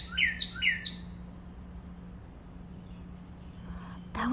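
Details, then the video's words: Cardinal in Maui, Hawaii, giving two quick, clear whistled notes that slur sharply downward, then near silence over a steady low hum, ending with a brief burst of noise. "Cardinal Call"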